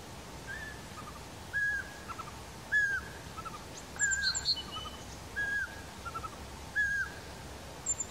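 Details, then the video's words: Eurasian pygmy owl giving a series of plain, mellow whistled hoots, about one every second and a half, with high chirps of small birds in the background. "Varpuspöllö ääni"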